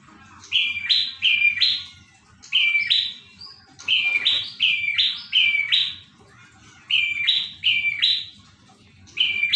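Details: Lively prinia song in the gacor style: rapid bursts of paired, strident notes, each a flat lower whistle jumping to a harsher higher tone, repeated over and over with short pauses; quiet low rumble underneath.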